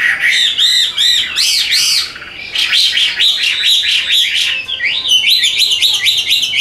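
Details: Caged Hwamei with golden legs and bill from Vietnam, delivering loud repeated arching whistled phrases, some rapidly rolled, then a series of bright slurred notes.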